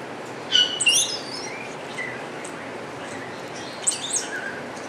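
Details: Wattled starling singing at Avifauna, Alphen aan de Rijn, Holland: high squeaky whistled phrases with buzzy slurred notes, two short bursts separated by near silence, a faint lower whistle between them.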